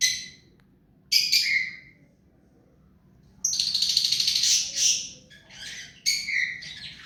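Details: Hand-tame rose-ringed parakeet giving harsh, high chattering squawks: a short burst near the start, a longer rasping run in the middle, then a final screechy note, with quiet pauses between.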